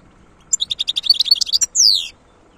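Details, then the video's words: Wild European goldfinch song recorded in 2022: a fast, evenly paced string of bright, high twittering notes lasting about a second, ending in a loud, buzzy downward-sweeping note, close and clear. "تغريد حسون خلوي"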